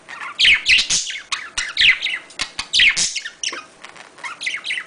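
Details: Domestic budgerigar mating sounds meant to encourage breeding: loud squawky chirps and scratchy warbled notes in quick bursts, several sharp clicks between phrases, busy nonstop twittering.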